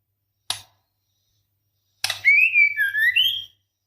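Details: Single sharp click, then a smooth wavering whistle from a female white-rumped shama in breeding condition calling the male, dipping and rising again.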